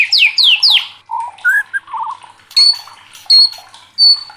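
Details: Agitated white-rumped shama in Indonesian 'gacor' style, recorded as a master song for contest birds: three steeply falling whistles, low mellow notes, then sharp high whistled notes spaced about a second apart.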